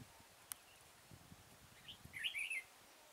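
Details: Red-whiskered bulbul at a trapping site in Kim Bôi, Hòa Bình, Vietnam, 6 April 2017: a single short chirp followed by a brisk rising-and-falling warbled phrase, with a sharp click early on.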